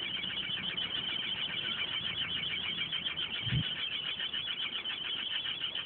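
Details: A Chimney Swift and her nestlings nesting in a chimney with no rain cap, a sound heard all night long, give a continuous, high, raspy chattering chorus, dense and buzzy, with a low thump partway through.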